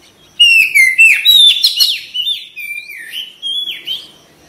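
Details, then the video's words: Oriental magpie-robin (kacer) singing energetically with its tail opened: a loud opening tumble of rapid chirps and whistles, easing into slower sliding whistled notes that fade toward the end. "TERAPI KACER CEPAT RESPON GACOR BUKA EKOR"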